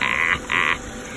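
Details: Friendly great blue turaco at San Diego Zoo gives two harsh, croaking notes about half a second apart, rough and throaty like a frog's croak.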